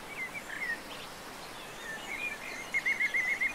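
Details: European green woodpecker in the mountains of León, Spain, January 2022, gives a quick run of five sharp, high, even notes near the end, after a few scattered chirps, over a steady background hiss.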